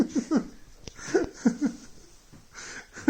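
A child laughs and giggles in bursts with breathy pauses indoors in a small room; no animal voice stands out.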